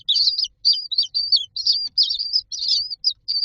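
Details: Common myna nestlings in a row in their nest box, begging as they wait for food: fast, harsh, wheezy high chirps run together in short bursts about three per second.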